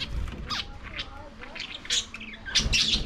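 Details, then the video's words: Lovebirds feeding on corn give several sharp, high squawks and chirps, bunched into bursts toward the end. A soft thump opens the clip and low rustling runs beneath. "Love birds sounds |eating corn"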